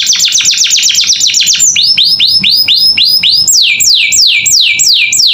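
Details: Captive canary singing vigorously in training material for pet birds: fast rattling series of short downward-swept notes, then slower clear descending whistles about two per second, ending with broad sweeping rising-falling notes, loud and continuous.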